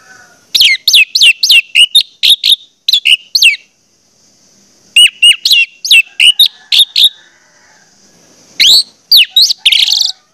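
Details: Orange-headed thrush lure song to prompt other orange-headed thrushes to sing: three rapid runs of many high, clipped, downslurred whistles, each lasting several seconds with short gaps between.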